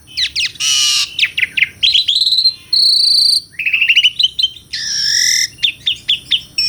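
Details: Asian pied starling (jalak suren) song from a captive bird: long harsh rasping bursts alternating with rapid clicking chatter and pure whistled tones.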